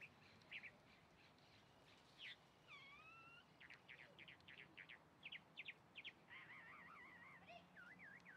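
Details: Chalk-browed mockingbird singing a varied medley: sharp clipped notes, a drawn-out whistled phrase, then warbling trilled passages, heard fairly distantly over a steady background hiss.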